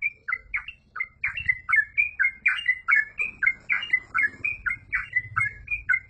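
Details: Yellow-vented bulbul singing in the 'gacor full ropel' style: a nonstop run of short, bubbly, slurred chirps, about three per second, each dipping or rising, with a faint low hum underneath.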